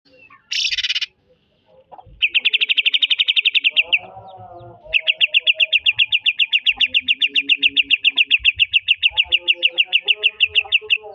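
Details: Greater green leafbird, kept as a songbird, singing in the trotol style: a harsh burst, then long rapid trills of sharp repeated notes, about four per second, with quieter lower chatter between.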